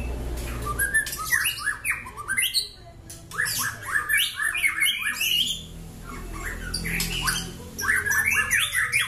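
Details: Caged Bahorok white-rumped shama, a black-legged, long-tailed bird of champion lineage kept for contests and breeding: loud, dense, varied song of rapid chirps, whistles and harsh squawky notes in bursts, with a brief pause mid-phrase and steady low hum behind.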